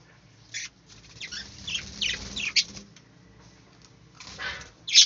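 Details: Budgerigars in an aviary giving scattered, scratchy high chirps in short bursts separated by quiet gaps, with a louder sharp chirp at the end and a faint low hum underneath.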